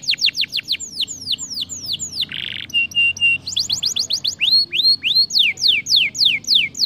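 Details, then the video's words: Canary giving a stimulating song: fast series of bright, descending whistled sweeps, a short harsh buzzy burst, then a steady high note, followed by more rapid falling sweeps repeated several times a second. "de kanarie deed meteen zijn stem na toen hij dit hoorde"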